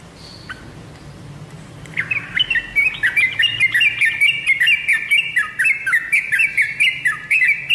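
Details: Yellow-vented bulbul song used as a lure for kept birds: a short note first, a pause, then from two seconds a rapid, continuous stream of bubbly whistled phrases with layered overlapping voices.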